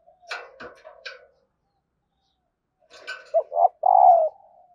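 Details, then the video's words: Female spotted dove calling to stimulate lazy males into cooing: scratchy higher notes at first, then after a pause a run of low, throaty coos that grow louder and end in a long drawn-out note. "tieng cu mai kich trong"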